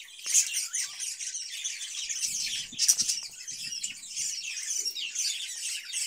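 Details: Caged budgerigars in summer, cucumber given as food; a steady, fairly soft murmur of high twittering and scratchy warbles, with two sharper chirps standing out and faint low knocks underneath.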